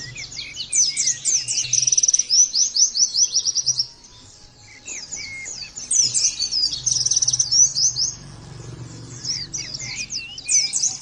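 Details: Long, excited Oriental white-eye song for training birds to sing loudly. Rapid high twittering and rattled trills come in two extended bursts separated by a short quiet gap.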